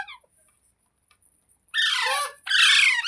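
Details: Pet green parrot, presented as talking: quiet for well over a second, then two loud harsh rasping squawks, the second longer and rougher, with a faint high hiss throughout.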